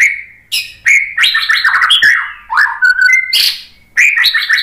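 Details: Continuous white-rumped shama song played as a lure to get other shamas answering: dense, fast, varied warbling with sliding whistles, harsh high notes and chattering phrases, barely pausing.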